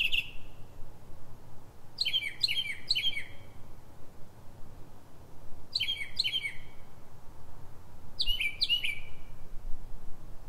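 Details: Northern mockingbird song in pre-dawn darkness, 3:44 am, Silver Spring, Maryland, USA: clusters of two to three buzzy, downslurred chirps repeated in bursts every few seconds, separated by quiet pauses and low hum.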